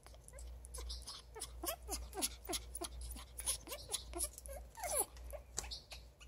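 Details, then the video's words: Female pet African grey parrot, happy and wanting affection, giving a run of soft whimpering calls: short descending slurred notes with harmonics, repeated roughly every half second, with some brief clicks and a low indoor hum. "African grey parrot Nikki makes this cute sound when she is happy and wants love"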